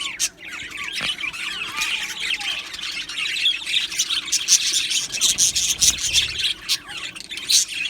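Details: Aviary colony of Australian budgerigars keeps up a dense, continuous chatter of high chirps, squeaks and warbled notes. Many birds call over one another with no pauses, and a few louder squawks stand out near the middle.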